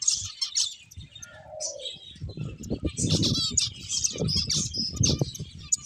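Several finches chirp in quick, high, overlapping bursts, with soft low thumps and rustling, perhaps wingbeats.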